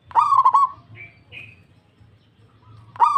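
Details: Local zebra dove responding straight away with a loud, stuttered, throaty coo that rolls into rapid pulses, two faint higher whistles after it, then the next coo starting.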